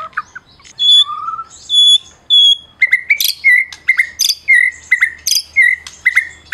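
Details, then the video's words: Caged prize-winning Medan white-rumped shama, song used to provoke mute shamas: a few long pure whistles, then a rapid repeated pattern of sharp clicks and short whistled notes, roughly once per second. "Masteran Murai Batu Medan Berprestasi !! Murai juara,, cocok pancing murai lain yg bisu"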